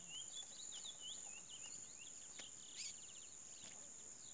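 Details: Curió preseiro, a chestnut-bellied seed finch, gives soft, fast, rippling whistled phrases that swoop up and down. A constant thin electronic whine and a few sharp clicks are also heard.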